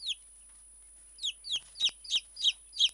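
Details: A tame, hand-friendly Silkie chick gives shrill, down-slurred peeps as a woman calls it to her. One lone peep comes first, then six more follow in a quick run of about three per second.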